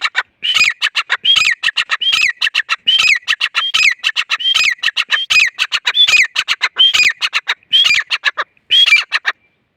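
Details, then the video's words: Grey francolin calling: a loud, harsh run of rapid clipped notes, each phrase ending in a rising-falling whistled slur, repeated about once a second throughout without pause. "Gray Francolin calls"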